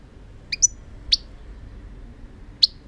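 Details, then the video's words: European goldfinch singing: a quick pair of high, thin twittering chirps, then two single sharp tweets spaced over a second apart, against a quiet, low background hum. "chant chardonneret"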